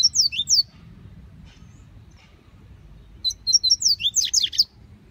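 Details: Double-collared seedeater in the bush, a short high whistled fragment followed after a pause by a fuller rapid phrase of sharp, downslurred and rising notes.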